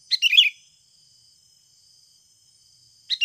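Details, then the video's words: Lure sound of a Sooty-headed bulbul, meant to make birds respond and call fast: a bubbling phrase of quick warbled notes, then a long pause before the next phrase begins about three seconds later. "SUARA ASLI PIKAT BURUNG KUTILANG UNTUK PANCINGAN BAHAN AGAR CEPAT BUNYI"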